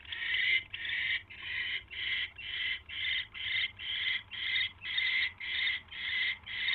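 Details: Owl at night, January 28, 2016, with a caught mouse: a steady series of about thirteen breathy, hissing screeches, roughly two each second, evenly paced.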